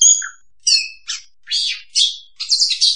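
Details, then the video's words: Oriental magpie-robin song played as a lure for trapping: separate notes about every half second, bright whistles alternating with short raspy, buzzy bursts. "suara pikat burung Kacer paling ampuh"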